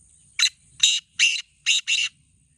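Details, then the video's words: Kala teetar, the black francolin, one of two contest birds, calling a rough series of five raspy notes at an even pace, the last two nearly merged, over a faint low rumble. "Black Teetar Voice"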